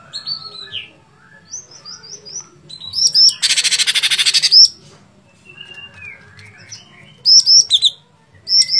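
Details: Sooty-headed bulbul singing a varied sequence: soft descending whistles, a long harsh buzzing rattle of fast pulses, then bright high clipped notes in quick groups near the end.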